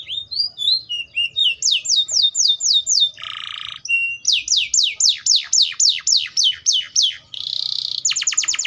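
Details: Atlantic canary song of varied tours: rising chirps, then a rolling series of downward-sweeping whistles, a harsh buzzy burst, another long run of quick downslurred notes, and a closing rapid trill.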